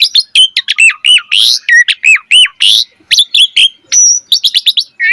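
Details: Asian pied starling in rich, varied 'mompa' song meant as training material for other birds: dense run of looping whistles, squeaky bent notes and harsh chirps, nearly continuous with brief pauses.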